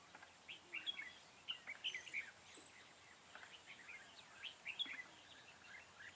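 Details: Red-whiskered bulbul used in trapping, singing 'ché' style song on 4 February 2017. Busy clusters of short whistled, warbling notes repeat through the recording, with faint distant chirps and steady low background noise.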